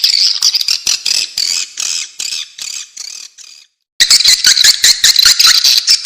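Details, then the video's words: Swiftlet lure sound taken from nature: pulsing high buzzy twitters repeated about twice a second, a brief silent break, then the busy chattering resumes. "suara panggilan burung walet suara asli dari alam"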